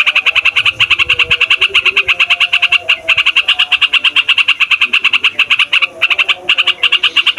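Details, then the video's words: Noisy, long-rolling yellow-vented bulbul song meant to lure wild bulbuls: a dense chain of sharp chattering notes, quick and nearly continuous, with only a couple of brief breaks. "TRUCUKAN RIBUT BUAT PIKAT, MASTERAN DAN PANCINGAN TRUCUKAN PAUD DAN OMBYOKAN"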